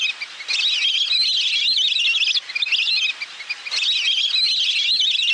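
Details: Lure recording of a little grebe: two long bursts of a high, fast, whinnying trill, each lasting nearly two seconds and separated by a brief pause, with a shrill quavering quality throughout.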